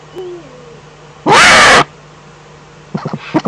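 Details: Eurasian eagle-owl recorded in the Eifel, Germany, on 11 April 2014: a faint thin whine, then one loud, rasping, hiss-like screech of about half a second, followed by a brief series of sharp clicks or taps.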